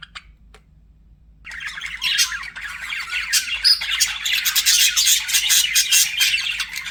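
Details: Pet budgerigars chirping: after a few faint chirps, a dense, continuous chatter of squawks and warbled chirps builds up and grows louder, with several birds calling over one another.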